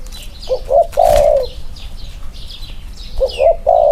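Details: Spotted dove, one of two birds placed side by side to compare their cooing play, giving two short rising notes and then a long, drawn-out low coo, with the phrase starting again; faint high chirps of other small birds behind.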